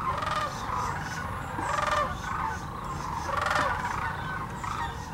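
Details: Sandhill cranes in a vast migratory flock at a Tennessee refuge give rolling, gargling bugles that rise in several louder waves over a constant background chorus.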